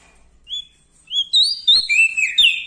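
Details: Bar-winged prinia from Lombok, singing loudly near larger birds. One short whistle, a pause, then a rising pure note that runs into a fast, bright cascade of descending chirps.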